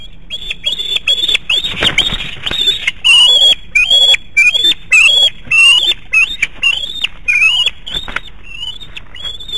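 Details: Male bald eagle at the Big Bear nest, 5/5/18, squeeing excitedly before entering the nest: loud, shrill chirps with sliding, downward-curving slurs, given in quick broken bursts of about one or two per second, with faint background noise.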